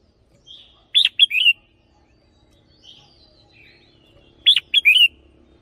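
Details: Caged red-whiskered bulbul decoy repeating the same loud three-note warbled phrase twice, about three and a half seconds apart, with faint soft whistles in the quiet gap.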